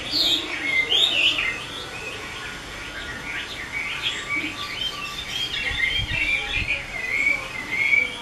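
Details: Chinese hwamei, a prized show bird kept by a breeder in Vietnam, singing a continuous varied song of high whistled phrases, slurred trills and rapid warbles over a steady background hiss.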